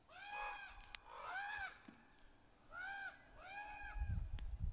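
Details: Juvenile and adult ravens calling to each other in the trees, very vocal: four arched, nasal, harmonic caws in two pairs, then low rumbling near the end.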